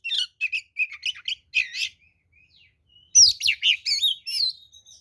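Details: Oriental magpie-robin (kacer) fighting song meant as a lure: a run of quick chipping notes, a pause with a thin whistle, then a loud burst of twisting whistled phrases.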